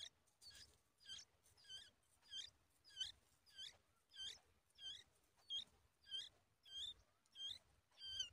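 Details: A yellow-tailed bulbul feeding a large spider to its nestlings, with thin, high, squeaky calls of bent, wavering pitch, about thirteen in eight seconds at a steady pace, against faint hiss.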